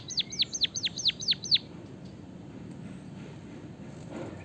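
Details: Rolling song of a Javanese white-headed munia carrying canary fill: seven rapid downward-sweeping whistled notes in quick succession, then near silence with soft background noise.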